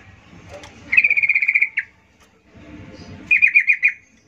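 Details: Female yellow-vented bulbul calling males, used as a lure: a fast rattling trill of about a dozen even notes lasting under a second, a short pause, then a second shorter trill of wavering notes.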